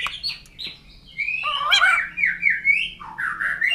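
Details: A white-crested laughingthrush (poksay jambul putih) sings a flowing series of slurred, rising and falling whistled notes that swell into louder chattering toward the end.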